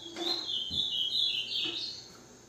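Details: Green-winged saltator giving a short warbled phrase of connected whistles that waver around one pitch, set against a noisy, hissing background.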